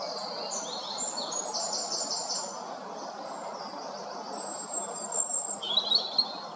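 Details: Male European robin in Derbyshire singing in the midday sun while resting on one leg; high, thin warbling phrases with fast trills and sweet notes, a brighter burst near the end, over a steady broad outdoor hiss.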